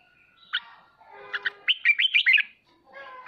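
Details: Red-whiskered bulbul singing in the ché style, played to spur pet birds into practising song; a short burst of quick whistled, warbled notes near the middle, with softer scattered chirps before and after.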